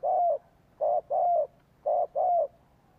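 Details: Captive spotted dove used as a decoy, cooing to draw wild doves in. Deep, mellow coos come as a brief note then a longer drawn-out falling note, the pair repeated roughly every second, against a quiet background.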